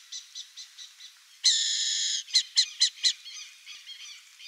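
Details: A burrowing owl (Athene cunicularia) gives a harsh, drawn-out screech, then four quick, sharp chattering notes, with softer high chirps repeating before and after.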